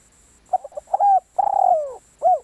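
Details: One spotted dove phrase used for luring: a burst of small stuttered coos, a held level coo, a long vibrating coo that glides downward, and a short arched closing coo.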